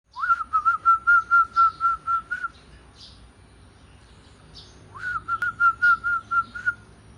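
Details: Zebra dove singing: two cooing phrases, each opening with a quick rising whistled swoop and running into about eight soft, even, pulsed notes at a steady pitch, separated by a short pause. Background is quiet.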